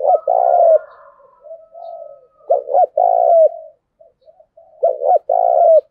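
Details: Spotted dove cooing, used to train decoy doves: two quick stuttered notes, then a long rolling coo with a downturned end. Soft, quiet coos fill the gaps between the three loud phrases.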